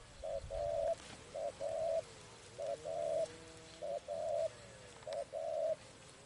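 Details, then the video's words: During trapping, a spotted dove sings paired coos, a brief note then a longer level hoot, repeated five times at about one-second intervals, with faint tonal background sounds. "Bẫy Chim Cu Gáy"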